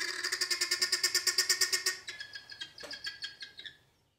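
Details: Helmeted guineafowl in Mashatu Game Reserve, Botswana, giving a rapid, harsh, rattling alarm call of repeated grating notes; these noisy birds alarm-call even when nothing seems to threaten.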